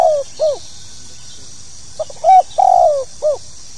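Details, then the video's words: Tekukur, or spotted dove, in a 'pokal tanggung' call. The clip opens on the tail of one phrase, a falling coo and a hooked note. After a pause comes a complete phrase of small pips, a level coo, a long falling coo and a curved finish. "SUARA PANGGILAN BURUNG TEKUKUR POKAL TANGGUNG"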